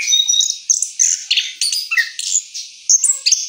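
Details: Orange-headed thrush singing its rolling song after moult: a fast, continuous jumble of high whistles, buzzy notes and short downward slurs, packed tightly with barely any gaps.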